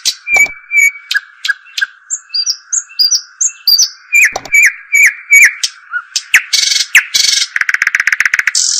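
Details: European robin in full song: thin high whistles, downward slurs and short warbled notes, ending in a dense rapid trill, with a continuous low hum in the background.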